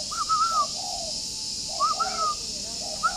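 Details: Spotted dove kept at a breeder's aviary in Ba Vì, Hanoi, Vietnam, cooing in the morning just after waking: a short rising note and then a long, level, whistled note, the phrase repeated about every 1.7 seconds over steady high hiss.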